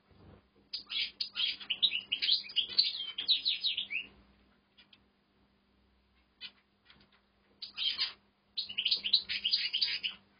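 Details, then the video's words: A European goldfinch in an aviary, just starting to sing, delivers bursts of rapid, tinkling twitters and liquid trills, a long run of about three seconds, then a pause and further twittering phrases. "Goldfinch Singing in Aviary (Salma da yeni başlayan saka ötüşü)"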